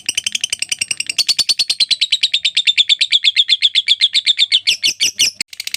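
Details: Lovebird giving a long ngekek trill, recorded as a tutor recording: a loud, rapid, even chatter of sharp notes, roughly eight per second, running unbroken for over five seconds and quickening into harsher notes near the end.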